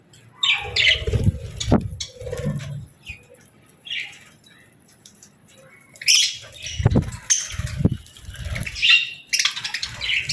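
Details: Budgies during evening feeding with seeds and millet grass, scattered scratchy squawks and chirps separated by pauses, with thuds and wing flapping.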